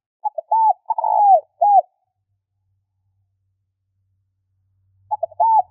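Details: Spotted dove calling to stir birds into answering: one full phrase of brief notes, mellow coos and a long husky falling coo, a pause of about three seconds, then the next phrase begins.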